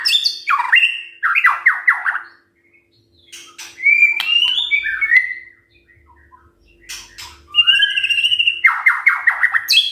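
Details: White-rumped shama singing in the morning to prompt other birds to answer: bursts of quick downslurred notes alternate with clear whistles, high sharp clicks, and a quiet pause midway.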